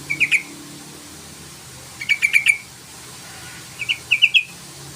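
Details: Yellow-vented bulbul provoking an opponent to call. Three tight bursts of three to five clipped, bright chirps each, spaced about two seconds apart, with faint low hum between them.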